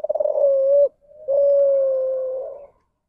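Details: Spotted dove in the ndanglong style, a deviant form of the standard coo: a stuttered, pulsing start running into a long steady low hoot, a short break, then a second long, slightly falling hooted note.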